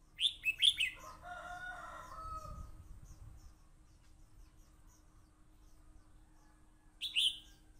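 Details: Red-whiskered bulbul in a fight, captured with a voice recorder: a quick burst of three or four bright, sharp whistled notes, then lower drawn-out tonal sounds fading away, with one more short bright phrase near the end.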